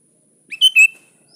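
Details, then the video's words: Single short phrase from a sooty-headed bulbul (kutilang) calling a rival, used as a lure: a quick rising note followed by two loud, bright chirps in close succession. "Suara Burung kutilang gacor memanggil lawan"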